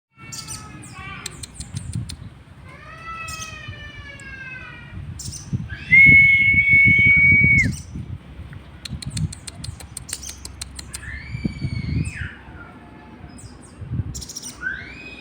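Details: Sooty-headed bulbul sunned at midday to raise its breeding condition, giving slurred whistled notes in rising and falling strokes, a long loud steady whistle in the middle, and sharp ticking chirps, over a low background rumble.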